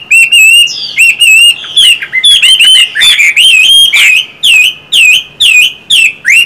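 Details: Chinese hwamei in full song, a dense stream of clear, ringing whistles with slurred upward and downward turns, delivered in quick bursts about twice a second, loud and unbroken by other noise.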